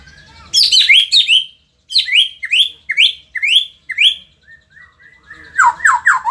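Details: Shama from Indonesia singing a run of repeated descending high chirps, about five in a row, then soft whistles and a loud burst of slurred notes.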